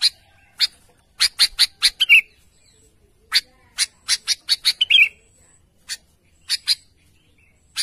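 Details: Sooty-headed bulbul calling out to its companions, giving quick bursts of crisp high chirps in fast runs, broken by a couple of short warbled, falling notes, against a quiet background.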